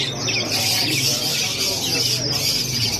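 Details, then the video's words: Chicks of domestic chicken peeping together in a steady, shrill, unbroken chorus of high, thin chirps, with a low background hum. "Chicks Chirping"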